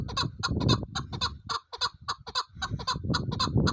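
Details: Chukar partridge giving a rapid series of sharp, clucking chuk notes, about two per second, irregular in spacing, with low rumbling handling noise underneath.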